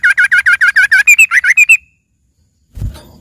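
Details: Yellow-vented bulbul singing filler song for green leafbird training: a fast string of about thirteen loud chattering notes, rising slightly near the end, followed by silence and a low rustle.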